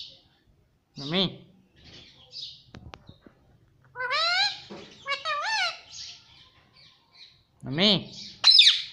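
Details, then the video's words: Talking pet parrot, said to say "mummy papa", answering a person: low human words at the start and near the end, with several bright, bending, voice-like parrot syllables and squeaks in between, indoors. "Mummy Papa Bolne Wala Tota || Talking Parrot || Pattu Parrot Talking"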